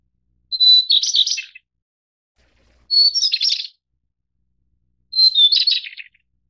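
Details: Taiwan-endemic White-browed Shortwing (Brachypteryx montana goodfellowi), a mountain bird of central and high elevations, gives three bright phrases. Each starts with a held thin whistle and slides into a jumbled, chattering descent lasting about a second, with clean silence between.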